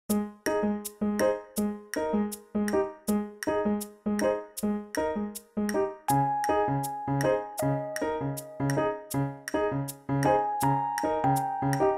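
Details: Only instrumental music is heard, a steady run of ringing, bell-like tones about twice a second, shifting to a lower pitch halfway through, with no animal voice.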